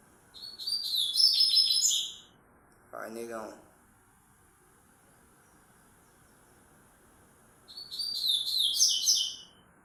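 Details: Double-collared seedeater singing a distinctive 'grego'-style song: two bursts of rapid, high, twittering chirps about five seconds apart, with a short low murmur of other noise between them and steady background hiss.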